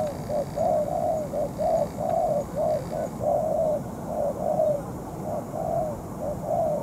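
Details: Cooing of a spotted dove decoy in moult, used for ground trapping while facing a wild bird: soft, hollow notes in short groups of two or three, steady and low, over light hiss.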